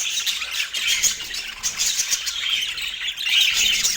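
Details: Caged parakeets eating breakfast on an autumn morning; a steady wash of high, raspy squawks and quick chirps overlap throughout, growing louder toward the end.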